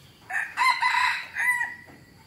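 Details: An F1 hybrid junglefowl rooster gives a full wild-style crow: a short rising opening note, a long hoarse middle phrase, then a falling tail note, in about one and a half seconds.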